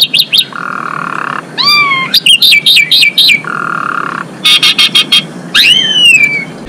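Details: Female Asian pied starling singing to bring males into breeding condition; steady buzzy tones alternate with bursts of rapid ticking notes and rising then falling whistled sweeps.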